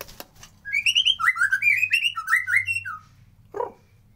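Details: White-rumped shama song in its original form, played to coax lazy birds into song and breeding mood: a flowing run of rising slurred whistles, then one short harsh note after a pause.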